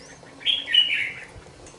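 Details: Caged red-whiskered bulbul, a two-month-old youngster, utters one rippling warbled phrase of several fast linked notes lasting under a second, clear over a quiet background.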